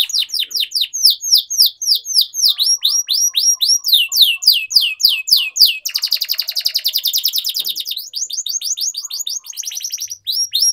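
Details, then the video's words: A canary sings a long, fast run of high, sweeping chirps, then a rapid buzzy trill, then more repeated downslurred whistles; the song is used to train young canaries to sing. "Canary Singing Training || Kenari Gacor Panjang Cuit Cuit Emosi, Pancingan Kenari Paud Belajar Bunyi"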